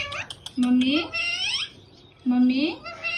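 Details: A pet parrot calling "mummy" indoors, two drawn-out, speech-like utterances with a steady low start sliding upward, separated by a short quiet gap.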